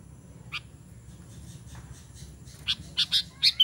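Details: Sooty-headed bulbul calling to lure other bulbuls. Short, sharp, high chirps come sparsely at first, then a quick run of four near the end, over a steady low hum.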